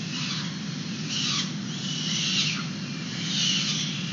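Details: Peregrine falcon young at a San Francisco nest box webcam, 29 April 2021, during a feeding in the sun; a few loud, rasping high screams separated by short gaps, with steady low traffic hum underneath.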